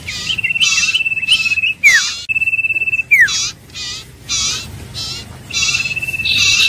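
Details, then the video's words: Iora repeating a steady trilled whistle broken by dry buzzy notes, two steeply falling slurred whistles, then slower harsh rasps and another long level trill. "Tiếng chim Huýt Cô(Chim Nghệ) | The sound of birds Aegithinidae"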